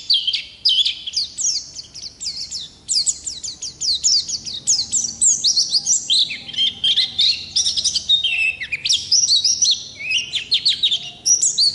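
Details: Oriental white-eye of the ngalas type in a long, non-stop rolling song: a fast, high, tinkling twitter of short slurred notes, rising and falling, sustained across the whole stretch.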